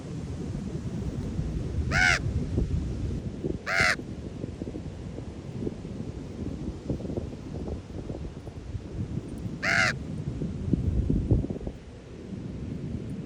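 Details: Ravens at Ocean Beach, San Francisco, calling three times with coarse, throaty croaks, two close together and one several seconds later, over loud surf and wind rumble.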